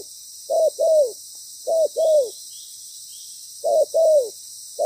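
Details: Spotted dove decoy, loud and with a well-patterned song, cooing during ground-decoy trapping. Three evenly spaced pairs of low notes, each a short coo followed by a longer falling one, separated by pauses of about a second.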